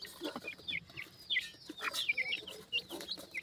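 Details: Pheasant chicks calling their mother while feeding: thin, high peeping notes, each sliding downward, scattered irregularly through the short stretch over a faint background hiss.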